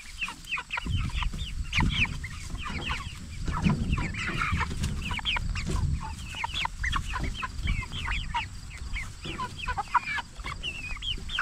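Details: Meat-raised jumbo Cornish Cross broiler chickens at 44 days old fill the recording with dense, high, repeated peeping from many birds, over steady low rumble and occasional knocks.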